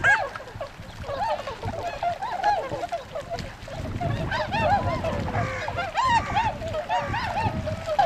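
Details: Wintering tundra swans in Azumino, Nagano Prefecture, Japan, February 2013, heading out to forage in rice paddies: a busy flock of wavering, slurred honking calls. Louder bugled notes come in the second half over a low background rumble.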